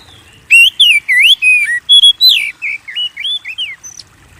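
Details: White-rumped shama song used to provoke singing in kept birds: a rapid run of loud, clear whistled notes, rising and falling slurs around the upper-middle pitch, about a dozen phrases in quick succession.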